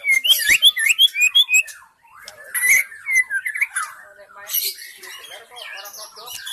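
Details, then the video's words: Wild forest white-rumped shama as a lure sound: a quick series of repeated bright chirped notes, then a pause, followed by twisting whistles and scratchy chatter. "SUARA PIKAT MURAI BATU ASLI HUTAN 100% MEMIKAT MURAI BATU AGAR GACOR"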